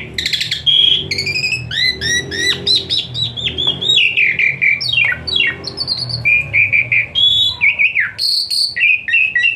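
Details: Richly filled Asian pied starling song with hot bursts, meant as therapy for a starling that rarely sings: rapid harsh rasping strokes, then a medley of slurred whistles, repeated short notes and squawky phrases, continuous throughout.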